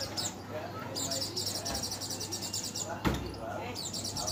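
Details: Oriental white-eye, known locally as pleci dakun, giving a rapid stream of high, thin chirping notes in fast repeated bursts, broken by a sharp click near the three-second mark, over a steady low hum.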